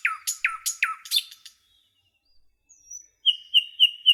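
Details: Nightingale singing in a forest: a quick run of sharp, downslurred chirps, a pause, a thin rising whistle, then four ringing notes repeated evenly.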